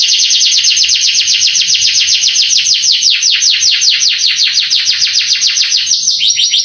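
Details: Masteran-style canary song played to stir young canaries into responding and singing: a long, rapid, buzzy trill of repeated notes, switching near the end to a quicker, higher roll.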